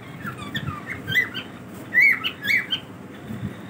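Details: Pet cockatiels during a daily routine, soft scattered chirps building to a couple of louder wavering squawked whistles near the middle, then fading to quieter notes.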